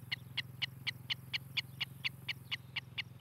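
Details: Osprey on a Charlo, Montana nest, recorded by nest camera in July 2018: short, high whistled chirps spaced about a quarter second apart, clear and regular, above a prominent droning low hum.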